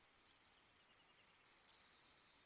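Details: Belding's Savannah Sparrow (Passerculus sandwichensis beldingi), a breeding-season resident of coastal salt marshes, song: a few very high, thin introductory chips, then a sibilant buzzy trill ending in a long insect-like hiss.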